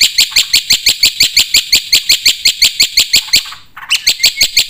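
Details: Black-winged starling singing actively, a 'full isian' filled song: a fast train of sharp, clipped notes repeated about three times a second, with a short pause and a lower buzzy note near the end.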